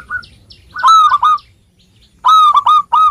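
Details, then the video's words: Local zebra dove in Indonesia, a keen singer used as a lure to make lazy birds call; two loud, hoarse, stuttered cooing phrases of several quick notes each, with a soft coo before them and a near-silent gap between. "Perkutut Lokal Gacor Suara Ampuh Mengundang Cepat Agar Bunyi _ Cocok Untuk Pancingan Malas Bunyi"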